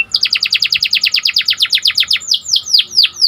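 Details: Symmetrical Panda canary in full song, meant to raise excitement in other canaries: a rapid even trill of sharp falling whistles, then slower, louder drawn-out downward slurs near the end.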